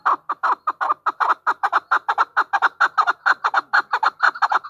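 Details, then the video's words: Chukar partridge, possibly a calling female, gives a rapid run of harsh, clucking chuck notes, about two to three per second, in a steady chattering series. "chakor ki awaz"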